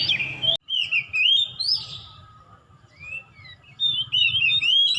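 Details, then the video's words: Young White-rumped shama just beginning to learn its song: scattered clear whistles, slurred rising and falling notes and a few chirps separated by pauses, over a low background rumble. "Burung Kacer muda joss mulai belajar main"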